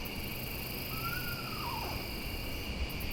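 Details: At night among katydids and other insects, an Eastern Screech-Owl that flew close along the trail gives its faint, descending whinnying song, about a second long. It throws its voice, sounding far away though near.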